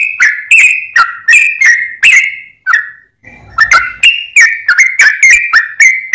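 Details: Lure recording of an actively singing sooty-headed bulbul: clipped, slurred whistles repeated about three a second, a short gap with faint rustling, then the quick whistled phrases start again.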